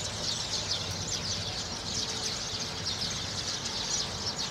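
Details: A noisy gathering of sparrows, described as a sparrow party; a dense, continuous chorus of overlapping high chirps from many birds, steady throughout with no single caller standing out.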